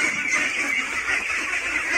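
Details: Several young female layer ducks, sorted and not yet adult or at puberty, give soft, continuous nasal quacking and chattering, fairly quiet rather than raucous; they are not yet noisy because they have not reached laying age. Domestic duck.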